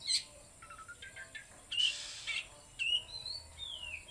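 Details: Oriental magpie-robin singing trotol konslet style, with separate clear whistles, a few bright chips and a long descending slur, spaced by short pauses.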